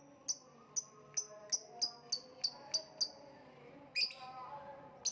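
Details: Lovebird kicau: a series of sharp, high, clipped chirps repeated about every third of a second, then a brief pause and a louder, slightly harsher chirp, over a faint low background hum.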